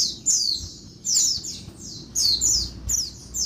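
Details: Female Oriental white-eye calling in daytime to spur males into song: clear clusters of two or three shrill descending chirps roughly every second, against an almost silent background.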